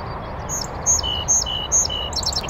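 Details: North American song sparrow singing from a bush on a northern USA oak savanna beside a beaver pond: high, thin whistled notes alternating between a higher and a lower pitch about every half second, ending in a quick jumble, over steady background hiss.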